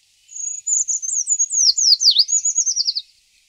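Eurasian treecreeper: a very high, thin, silvery phrase of quick notes lasting about three seconds, wavering and dipping before ending in a fast rippling flourish; nothing else heard.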